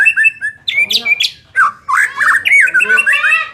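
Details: White-rumped shama singing, played to boost a less aggressive bird's competitiveness: clear whistles, sharp upward notes, then a fast run of warbled slurs in short bursts.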